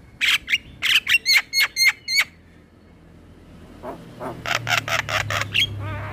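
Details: Tutor song of a male Javan myna: a fast series of sharp clicks with thin whistled overtones, a short pause, then quieter buzzy rasping notes building into another rapid clicking run.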